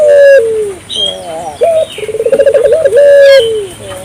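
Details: Persistent calling by an African collared dove meant to stir local doves into calling. The end of one falling note, then a high note, a rapid rolling trill and a long drawn note that slides down. Faint bird chirps behind.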